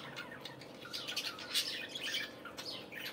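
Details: Several budgerigars warbling in the morning, rapid harsh chirps and buzzy squeaks run together without pause, with a sharp louder note midway.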